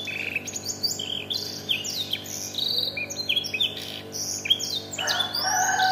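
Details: Canary schooled on black-throated canary song, delivering a fast, varied stream of high chirps, sweeping whistles and buzzy twitters, closing with a louder rich warble; a constant low hum runs underneath.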